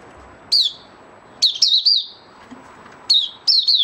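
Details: Male white-eye giving its opening song ('buka'), recorded 08012022, with short bursts of high, sharp, wavering twittered notes at about one-second intervals against a quiet background.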